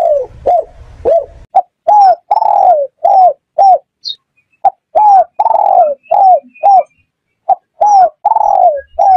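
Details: Spotted dove cooing, a call used as a lure for bird catchers: clear phrases of short arched hooting notes with longer drawn-out coos, repeated in groups with brief gaps; faint low rumbling at the start.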